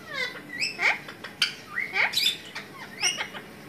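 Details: An Alexandrine parakeet kept as a talking pet gives quick chattering speech-like notes, with rising whistled glides and clicky syllables in close succession over steady low background hiss.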